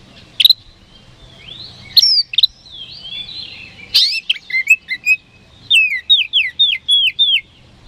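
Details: Kacer, the oriental magpie-robin, a popular contest songbird, singing to provoke rivals: isolated sharp notes and slurred whistles, then a rhythmic run of five or six falling whistled notes at the end; faint low hum.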